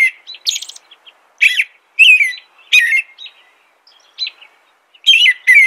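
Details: Song of an American robin: clear caroling whistled phrases, each slurring and dropping, given in irregular bursts with quiet gaps and thin high notes mixed in.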